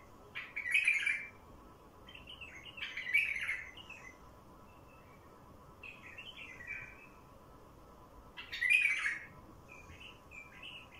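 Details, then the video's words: Lure song of a wild bulbul: rich, loud warbled phrases at irregular intervals, interspersed with fainter short chirps and brief twittering notes. "تغريد بلبل وحشي لفتح البلابل الوحشية"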